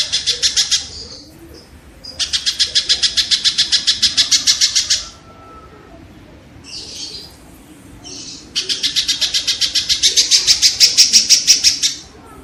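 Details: Kingfisher played to teach songbirds: several bouts of fast, harsh, buzzy notes at about three to four per second, separated by quieter gaps holding a few scratchy sounds.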